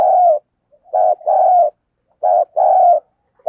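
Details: Decoy spotted dove giving a rhythmic luring coo: repeated pairs of deep, hollow notes, a short note then a longer, steady one, each pair about a second and a half apart.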